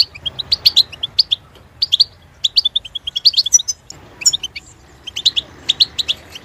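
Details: European goldfinch song: fast tinkling twitters and liquid chirps packed in bursts, with a brief pause near four seconds, then renewed bright chattering to the end.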